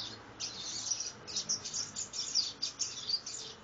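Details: Young copper seedeater, 60 days old, learning the do-re-mi song style: a run of quick, high, scratchy chirps and trills in short bursts, with small pauses between phrases over faint background hiss.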